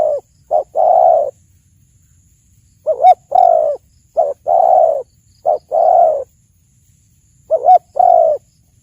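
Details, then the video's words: Spotted dove song: three repeated phrases of mellow, low cooing, each with one or two short notes leading into a drawn-out purring coo, spaced about three seconds apart; faint low rumble underneath. "suara burung tekukur terbagus"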